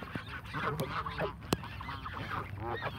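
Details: Canada geese honking while being fed as a flock, many calls overlapping in quick succession, with a sharp click partway through.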